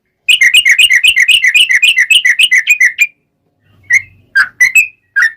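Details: Energetic yellow-vented bulbul song, a long rapid trill meant as a lure to make other bulbuls answer. About twelve quick, evenly repeated chirps run for nearly three seconds, then a few separate whistled notes follow a pause.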